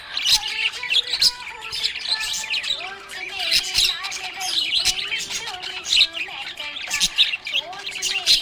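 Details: Contented budgie warbling continuously, a mix of grating chatter, clicks and high tweets, with a low sustained tone underneath.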